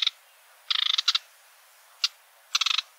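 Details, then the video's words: A sedge warbler gives rapid rattling trills of about six notes, a lone sharp chip, then another short rattle, between brief silences. "Vogelstimmen: Der Schilfrohrsänger - Reed warbler - Acrocephalus schoenobaenus"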